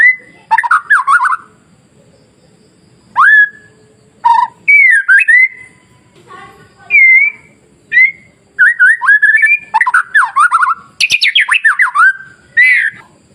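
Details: White-rumped shama song played as masteran to provoke other shamas: short whistled phrases separated by gaps, clear slurred notes, fast warbled runs and a harsher chattering burst near the end.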